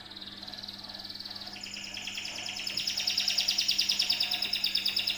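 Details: Canary song played as a lure to draw other birds into singing: high rapid trilled notes, growing louder and denser after a couple of seconds into a long buzzy rolling trill, over a low steady hum.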